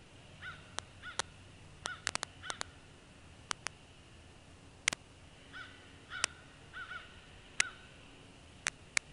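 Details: Bald eagles at a northeast Florida nest with two young hatched in December 2015, recorded 21 January 2016 during preening. Short curved chirping notes come in small clusters between frequent sharp clicking knocks, over a constant low background hum.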